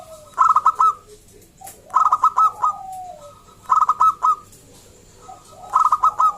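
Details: Lure song of a local zebra dove (perkutut lokal), used to draw other zebra doves into singing: four phrases of rapid, rounded cooing notes, each about half a second long and spaced about two seconds apart, with lower gliding whistles between.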